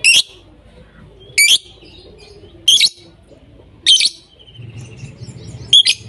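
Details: Lovebird uttering harsh high squawks at irregular intervals of one to two seconds, with faint chirps and a soft low rumble in the background.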